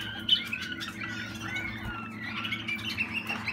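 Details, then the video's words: Waterslager canary, a 2020 young bird, singing indoors: dense run of clear warbled and rolling notes at moderate pitch, with a steady low hum beneath. "Malinois Waterslager Malinua"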